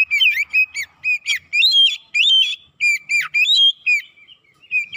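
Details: Oriental magpie-robin singing a provoking lure song: clear, high whistled notes mixed with buzzy, sharp syllables, delivered in rapid separate bursts with brief gaps, in a clean, quiet setting.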